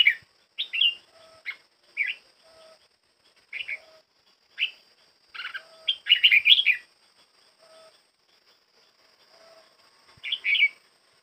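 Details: Red-whiskered bulbul in training, singing fairly well: short bright warbled phrases given every second or so, with a busier burst in the middle, over a faint steady high hum and a few soft low tones.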